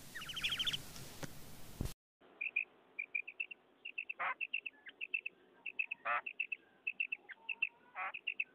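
A female common quail gives short, high, paired chirping notes in quick, uneven runs, broken by a few harsh rasping bursts; a brief noisy stretch opens the recording.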